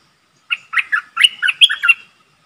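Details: Streak-eared bulbul used as a decoy to lure a wild flock, giving a fast warbling phrase of short, bright, slurred chirps that jump up and down in pitch.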